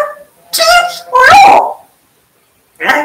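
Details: African grey parrot kept as a pet, imitating speech indoors: two harmonic, voice-like phrases, the second sliding down in a smooth tonal contour, followed by a pause and a short clipped syllable.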